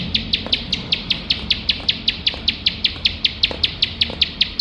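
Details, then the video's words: Bar-winged prinia in full nembak song, kept as tutor material for contest birds: bright, piercing chips fired in a regular chain about four to five per second, with soft low noise behind. "ciblek sawah gacor nembak nembak tanpa HENTI"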